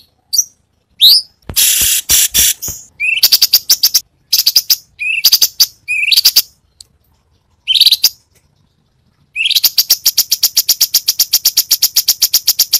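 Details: Cucak cungkok in full voice with many varied 'tembakan' shot phrases, used for tutoring songbirds: short rising whistles, harsh bursts and rattles separated by pauses, ending in a long rapid high-pitched trill.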